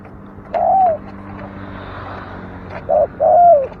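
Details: Dove giving a single drawn-out, slightly falling coo, then after a pause a quick short note followed by a longer hollow coo, against a faint background hum.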